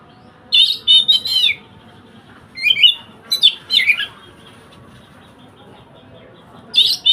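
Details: Oriental magpie-robin in full song, used to teach a silent bird to sing: short bursts of high, bright warbled and trilled notes, separated by pauses of one to two seconds over a quiet hiss.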